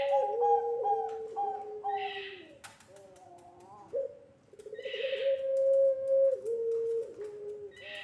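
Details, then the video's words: Level, long-held hooting coos of a puter pelung Barbary dove used as a lure for young birds, in two phrases with a quiet gap and short rough bursts between them. "SUARA PANCINGAN BURUNG PUTER PELUNG GACOR COCOK UNTUK MASTERAN PUTER MUDA"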